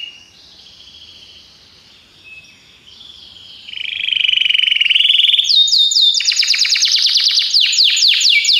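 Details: Belgian canary training song: opens with a quieter, thin sustained whistled and buzzy phrase that builds into loud, rapid, high descending rolls repeated several times per second.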